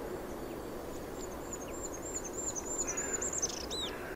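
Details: Goldcrest singing in winter: a rapid run of very high, thin, needle-fine notes in four to six linked motifs, closing with a quick twirling flourish, over a steady low rushing background.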